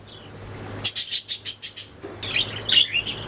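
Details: Caged budgerigars chirping: a short high note, then a run of seven evenly spaced sharp chirps about every sixth of a second, followed by a chattering warble of mixed high tones.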